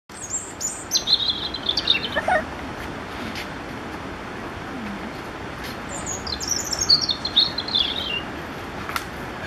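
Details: European robin in Dziwnówek, Poland, 12 June 2014, sings two high, thin, warbling phrases, one dropping into a lower liquid note, with a long pause between, over a steady wind-like hiss.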